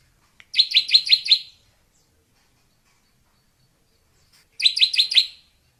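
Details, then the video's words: Wild drongo delivering two quick bursts of five buzzy, chattering notes about four seconds apart, quiet background. "Suara Burung SRIGUNTING merdu di alam liar"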